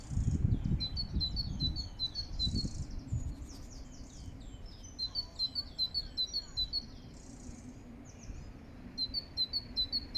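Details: A great tit sings bright, high two-note phrases in quick repeated series, with pauses between bursts, in Regent's Park, London, over a low rumble of distant city noise.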